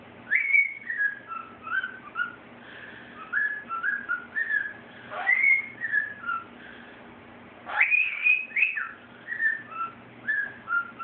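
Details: A 5-month-old male cockatiel, still learning the Andy Griffith theme song, whistles it in clear, bright rising and falling phrases while another bird distracts him.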